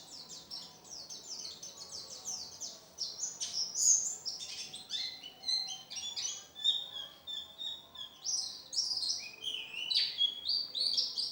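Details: Oriental white-eye (pleci), a contest bird singing energetically with a full repertoire: a long, dense run of high, thin twittering and chirped notes, some sliding downward, in a quick, busy stream that swells and fades.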